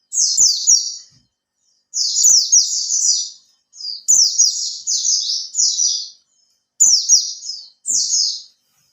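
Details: Caged Oriental white-eye, kept for three months and beginning to learn to spread its tail, sings a lure song meant to prompt other birds to sing. Rapid, high, twittering phrases come in bursts of about one second, separated by short silent gaps.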